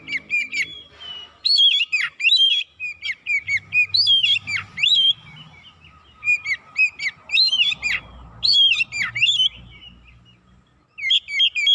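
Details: Oriental magpie-robin lure song meant to provoke other birds, made of loud repeated downslurred whistled phrases with harsh overtones, bursts every second or so separated by short pauses, with faint low background hum.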